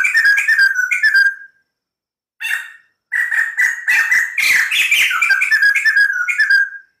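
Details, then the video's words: A white-crested laughingthrush gives lively, continuous song: quick whistled notes, a short pause, then a long burst of loud chattering, slurred phrases that ends in falling whistles. "POKSAY JAMBUL PUTIH GACOR DOR"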